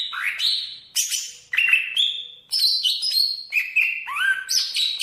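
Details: Song of a Banyuwangi greater green leafbird, a varied medley of rising whistles, harsh high bursts and level piping notes in short, jumpy phrases.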